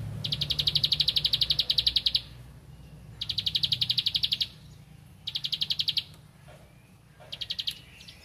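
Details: A bar-winged prinia seeking a rival repeats rapid high clicking phrases that grow shorter, from about two seconds down to under a second, with quiet gaps between them.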